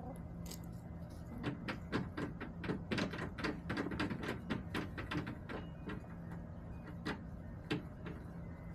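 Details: Irregular knocking and clattering clicks over a low steady hum, with no animal voice heard.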